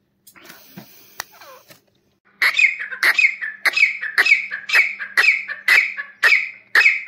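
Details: Grey partridge, the desi teetar, calling: after a few faint scattered sounds, loud harsh grating notes repeated about every 0.4 to 0.5 seconds in a steady series, strong and raspy, with a low constant hum behind.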